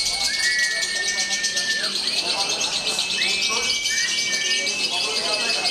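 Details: Lovebird entered in a singing competition, Konslet class: a dense, high buzzy chatter runs throughout, with drawn-out whistled notes rising and levelling off, repeated several times, while people talk in the background.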